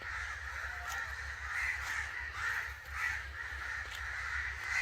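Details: Angry crow calls: crowded, rasping caws that swell and fade in waves about every second, over a low constant rumble.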